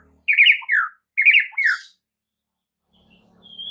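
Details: White-rumped shama masteran song for prompting other shamas to answer: two matching bursts of rich, tumbling whistled phrases, each ending in a falling slur, followed by near silence and a faint thin whistle.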